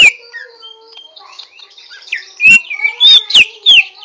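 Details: Greater green leafbird (Chloropsis sonnerati) in rough 'ngriwik' song practice: a soft, buzzy, high murmur that builds into loud bursts of sharp whistled notes toward the end.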